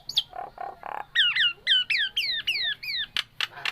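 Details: Nias hill myna, a kept bird, giving low nasal notes followed by a series of loud descending whistles, paired in steps, closing with sharp harsh bursts.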